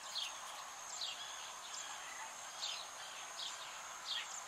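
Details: Zitting cisticola (Cisticola juncidis cisticola) in the Ebro Delta, Spain, in August: sharp, short 'zit' notes repeated about every 0.7 seconds over a steady hiss of background noise.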